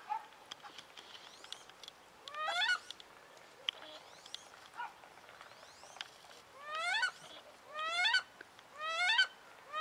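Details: Angry female wood duck in winter, moved to another pond, giving loud, rising, squealing calls in bursts every second or two, with fainter sliding whistles and chatter from other ducks (wood, mandarin, call ducks) behind.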